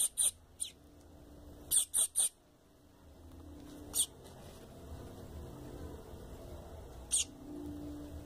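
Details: Begging peeps of a double-collared seedeater chick, meant to excite an adult: brief, very high, sharp chirps, some in quick pairs or triplets, scattered irregularly over a faint constant hum.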